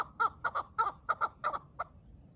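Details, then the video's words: Farm-bred quail giving harsh, chuckling notes, mostly in quick pairs, about eight in two seconds at mid pitch, over a low background hum. "فارمی بٹیر اور چکور کی خوبصورت آوازیں"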